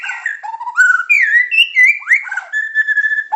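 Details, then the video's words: Masteran song of a Medan white-rumped shama, styled super pancingan, macet, tembakan and isian: long sliding whistles rising and falling, a quick upward sweep, then a steady sustained whistled tone. "Materan burung murai batu medan super-pancingan macet-tembakan-isian"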